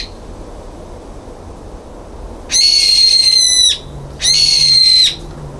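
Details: Two loud, piercing, level shrieks from a brown-eared bulbul kept away from the balcony feeder, 9 February 2022, each about a second long with a short gap between, over a faint low hum.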